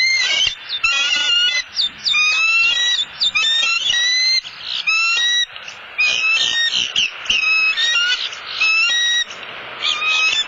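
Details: Southwest Florida bald eagle pair during a delivery of a headless fish from male to female: loud, sustained high chattering whistles pour out in dense, uneven bursts for about ten seconds.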